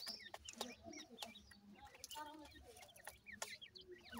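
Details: Home-kept grey francolin chicks peep in scattered, slightly lower, clipped notes among frequent tapping and handling knocks.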